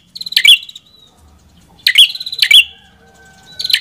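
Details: Red-headed prenjak singing: three short, harsh, high chattering bursts with buzzy whistled notes, separated by pauses of about one and a half seconds, over a faint low hum.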